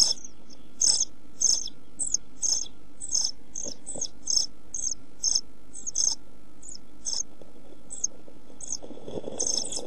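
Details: European pied flycatcher young in a nest box on 27 June 2013, short of food in hot weather, utter brief, thin, high hissy begging notes spaced about half a second apart, fairly soft throughout.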